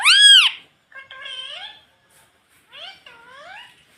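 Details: Pet rose-ringed parakeet repeating "mummy" in mimicry: a loud, arched, ringing syllable first, then two quieter, drawn-out, gently rising harmonic phrases.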